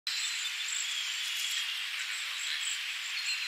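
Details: Cedar waxwings at Tawas Point, Michigan, USA, May 2023, give very high, thin, lisping whistles overlapping almost without pause, as from several birds, over a steady background hiss.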